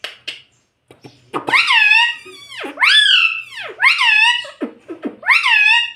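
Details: Pet parrot saying "mitthu" and "mummy": loud, nasal, two-part word-like calls that rise then dip, repeated about four times in quick succession after a few soft clicks at the start.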